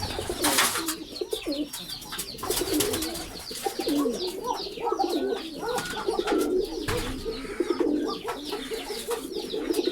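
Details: Pigeons cooing indoors, low rolling coos running under a dense layer of sharp chirps and twitters from many birds, with a few loud knocks and rustles.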